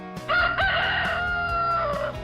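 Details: A rooster crows once for about two seconds in a loud, strained cock-a-doodle-doo. The note opens with a quick rise, holds level, then trails off, with faint music underneath.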